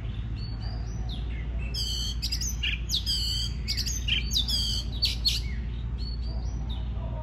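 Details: Oriental magpie-robin song used to stimulate singing: gentle whistles open, then a dense middle section of harsh scratchy bursts, ending in softer whistled notes, over a low constant hum.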